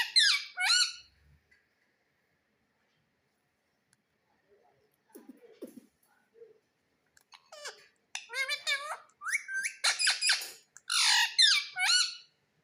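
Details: Pet Indian parrot, a rose-ringed parakeet, indoors saying "mummy": bursts of harsh, speech-like squawked syllables, quiet stretches with soft mutters, then a run of loud repeated chattering words toward the end.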